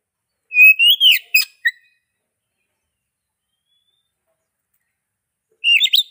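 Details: Oriental magpie-robin giving two short bursts of song: a rising whistle followed by a few clipped chirps, then about four seconds of silence before another brief rising whistled phrase.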